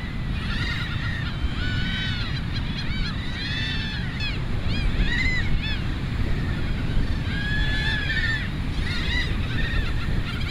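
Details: Several Belcher's gulls give harsh, arching, nasal calls in overlapping bursts over steady low surf.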